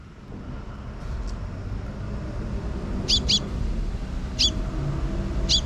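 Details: Sparrows in a park on 12 June 2023, a young chick following a parent that scouts for safety: brief high chirps, a close pair then single notes about a second apart, over low rumbling background noise.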